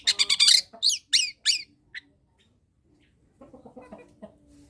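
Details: Long-tailed shrike used as a singing model for reluctant shrikes: a fast rattle of harsh notes, then three loud descending slurred squeaks, followed by quieter low murmuring sounds.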